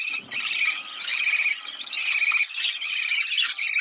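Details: Budgerigar breeding-stimulation chatter: continuous buzzy, grating warble in bursts about half a second long, repeated with brief dips, high-pitched and harsh throughout.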